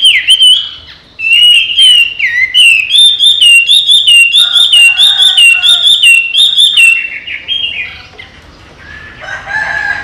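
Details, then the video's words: Owner-trained Chinese hwamei, kept caged but let out to fly and come back, pours out a rich run of bright whistles and rapid rolling trills in fast repeated phrases that fade away near the end. "Họa Mi Hót"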